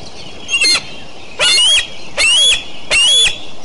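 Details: Morning recording of the Decorah eagles, 29 June 2012. A short note leads into three strident, grating screams with a whistled core, roughly every 0.8 seconds, against constant low hiss.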